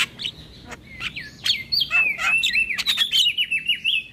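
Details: Javan myna song used as a lure for mynas and starlings: a varied run of whistled, slurred notes rising and falling, mixed with sharp clicks and short buzzy bursts, delivered rapidly and continuously.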